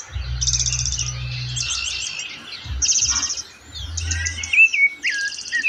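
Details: Rufous-bellied thrush singing its melodious song during the breeding season: clear whistled phrases mixed with high, rapid chirps and trills, with other birds likely present. A low rumble runs intermittently underneath.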